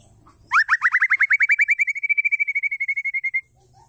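White-rumped shama female giving a rapid run of about thirty short, upslurred notes, quickening and then levelling into an even, high chatter for three seconds.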